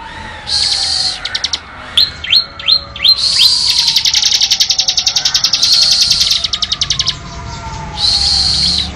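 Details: ['A varied Bar-winged prinia song used for training songbirds: buzzy high bursts, a few separate down-swept notes, then long fast trills, repeated in alternating phrases.']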